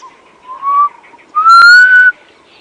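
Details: Black Cuckoo calling at dawn (about 5:30 AM, 10 October 2016) on a safari drive in a South African game reserve, possibly a newly arrived migrant: plaintive whistles, a soft lower note then a longer, louder, slightly rising one; a sharp click.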